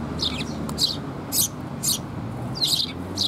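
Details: Recently fledged Eurasian tree sparrow chicks being fed by a parent, recorded 6 May 2021. Loud, harsh, high chirps come in about five short bursts, some doubled, against a low background hum.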